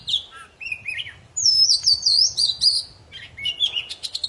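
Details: Lively poci-type Oriental magpie-robin song meant to set stalled birds singing: mid-pitched whistles, a long high warbling phrase, then rapid clipped notes.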